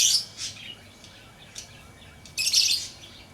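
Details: Lovebird chirping: a loud burst of harsh high chirps, a couple of brief thinner chirps, then another dense, noisy chatter near the end.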